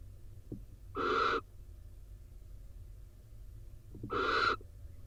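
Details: Two harsh, noisy hisses about three seconds apart, each roughly half a second long, from barn owls in a rain-soaked nest box in Israel as the wet male joins the female sitting on eggs; faint clicks precede each.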